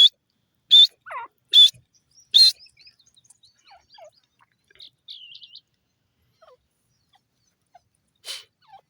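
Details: Grey francolin (teetar) calling: three or four piercing high notes in quick succession, then a long quiet stretch of faint scattered chirps and one last sharp note near the end.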